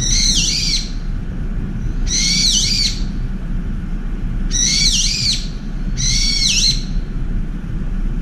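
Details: Screeching attack by a brown-eared bulbul chasing a turtle dove from a windowside feeder: four harsh, grating screams with a dipping tone, spaced about one and a half seconds apart, low hum beneath.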